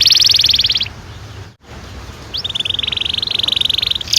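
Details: Long-rolling canary song played to coax young canaries into singing: a loud dense roll to start, a brief pause, then a rapid steady trill of repeated notes rising again at the close.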